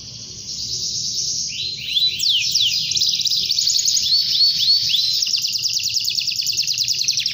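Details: Canary singing to call a rival: a few quick rising-falling notes lead into a sustained, very fast high buzzing trill lasting several seconds.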